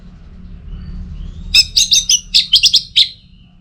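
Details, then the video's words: Orange-headed thrush, a kept bird from Singaraja in North Bali, giving teler song as a training lure: after a quiet start, a rapid burst of short sharp whistled notes, about eight in under two seconds. "Masteran sekaligus Pancingan Burung ANIS MERAH Agar Selalu Bisa Menikmati Telernya"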